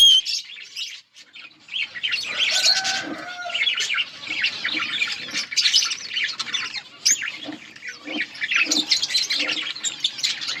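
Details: Budgerigars in a breeding colony, many birds chattering and squawking together in rough, buzzy warbles, broken by short quiet gaps.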